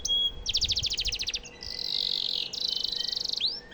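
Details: Canary song suited as a tutor for White-rumped shamas: a short whistle, a fast pulsing trill, a smooth buzzy held tone, another quick trill, and a final rising slurred note.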